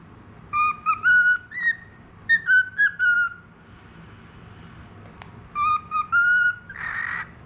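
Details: Tame pet budgerigar, of the falk type, praised as a clever, strong whistler. It gives clear, harmonic-rich whistled phrases in short bursts, some flat and some gently rising, separated by pauses. A brief rushing noise comes at the end.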